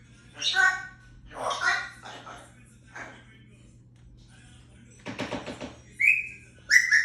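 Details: African grey parrot producing speech-like mumbled syllables and a raspy burst, ending with clear whistled notes.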